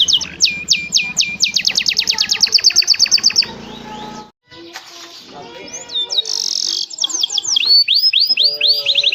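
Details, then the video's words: Lively canary singing a 'cengkok mewah' training song for other canaries: fast repeated high whistled notes in long rattling runs, then a brief silence, followed by rising slurred whistles and buzzy trills. "Suara burung kenari GACOR Cengkok Mewah istimewa mantap ‼️ cocok untuk masteran kenari lainnya"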